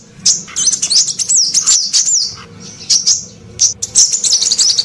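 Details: Call of a female sunbird used to draw out silent males: tumbling sequence of very high twittering notes with fast wavering slurs, dipping briefly mid-way before resuming in a lively chatter.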